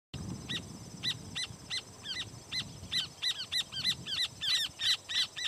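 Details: Rufous horneros perched on a firewood-gatherer's nest give loud, shrill, ringing alarm calls, repeated and quickening toward the end as calls overlap, over a low rumbling background; some displacement behaviour; a Spotted nothura (inambú chico) calls at the end.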